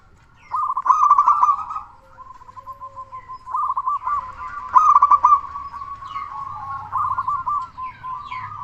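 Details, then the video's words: Local zebra dove with a big voice, sung as a lure to stimulate quiet doves: long streams of rapid rolling, stuttering coos at a steady pitch, swelling louder in bursts, with faint low background hum. "Perkutut Lokal Gacor Suara Besar Pancingan Burung Perkutut Agar Cepat Bunyi."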